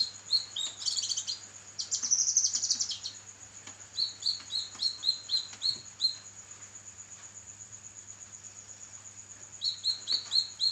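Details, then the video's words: Actively singing kinoi on a songbird training recording: high chattering twitters and a bright trill, then runs of evenly spaced short chirps separated by a pause, set against a steady high-pitched whine and low hum. "burung masteran kinoi gacor"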